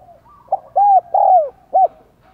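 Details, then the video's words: Decoy spotted dove calling in the 'giọng đồng còi' voice to urge other doves to coo: a single four-part phrase of a short note, a level coo, a long drooping coo and a clipped final note over faint murmuring. "Giọng Đồng Còi - Chim Cu Mồi Thúc Gù Và Gáy Gọi Cực Sung"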